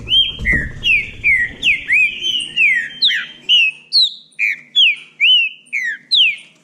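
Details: Bahia saltator singing in contest, a steady string of loud, clear whistled notes, each bending down or up, repeated roughly every half second in a bright, rhythmic pattern.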